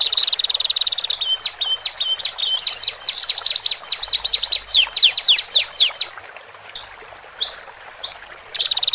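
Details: Male and female Horsfield's bush larks singing, used to help birds newly separated from the flock settle into a cage. Steady whistled notes give way to a dense run of quick downward-sweeping high chirps, then short repeated rising whistles.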